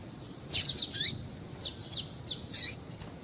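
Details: Short high tweets from a female double-collared seedeater, a call meant to excite males: a tight cluster of bright chirps with one falling note, then three evenly spaced single chips.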